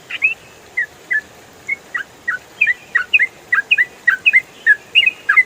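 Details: Yellow-vented bulbul (trucukan) singing in the rapid ropel style, a master recording for training songbirds: bright, bubbly whistled notes in quick broken pairs and triplets, some rising, some falling, over a steady background hiss.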